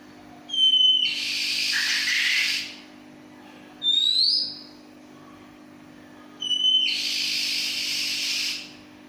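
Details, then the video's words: Oriental magpie-robin singing in the ngacor style of nonstop song, described as a most unusual voice: clear whistled notes with sharp rising upslurs, each followed by a long harsh hissing burst, in three phrases over nine seconds, with a steady low hum behind. "Burung Kacer terunik suara nya ngacor"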